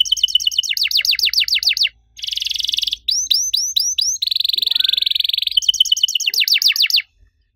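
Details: Long 'cuit cuit' canary song in the active 'riwik' style, used to get other canaries singing: runs of fast falling chirps, buzzy rolls and curled upslurred notes, ending in silence.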